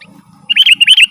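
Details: Sooty-headed bulbul song used to lure wild birds in the forest and to set caged birds singing at home: after a short pause, a quick run of bright, bubbly chirps, loud and close, over a faint low hum.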